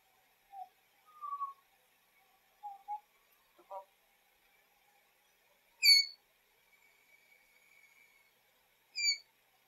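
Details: Pet African grey parrot making some of its favourite silly noises: short whistled notes, a brief clicking burst, then a sharp, loud, harmonic squawk near six seconds that returns near nine seconds, with a long faint whistle between, in a quiet room.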